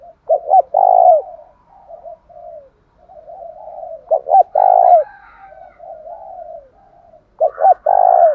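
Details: Lure spotted dove giving its fighting coo, loud enough to ring across the village, used to set caged doves calling back; deep, throaty phrases of two quick notes and a long hoarse coo, repeated about every three and a half seconds.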